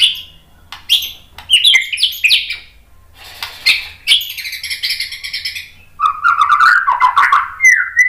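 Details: Shama training song with rapid shot phrases: jumbled scratchy high phrases with brief pauses, then a richer lower warbling passage ending on a clear whistle.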